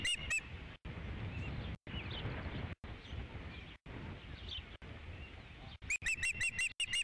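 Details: Osprey on a ranch nest, 3 July 2016, fifth fish delivery: a couple of high chirps open, then mostly soft background noise with faint distant notes, ending in a fast burst of loud whistled cheeps.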